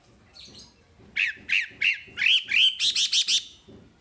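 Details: Wambi singing for masteran practice: a rhythmic sequence of clipped high chirps that speed up into a rapid burst of very high, piercing notes, with faint low rumble beneath.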